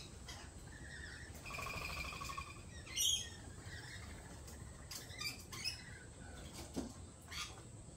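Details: Lorikeets at a lorikeet cafe giving shrill, screechy chirps and a harsh burst of squawks, over steady background hum and a high constant whine.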